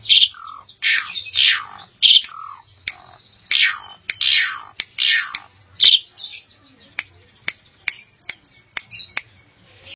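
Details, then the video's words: Asian pied starling, a bred songbird from Indonesia, singing loud harsh rasping squawks with thin whistles, then a run of sharp clicking snaps in the second half, over a low hum. "Jalak Suren - Burung Jalak Suren Joss"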